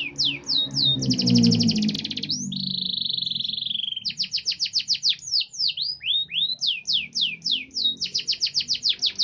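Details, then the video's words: Canary with new feathers after moulting, singing in a luxurious style. Rapid high trills and sweeping notes lead into a long steady whistle, then fast rolling trills return. A low murmur of background noise sits underneath. "Kenari gaya mewah"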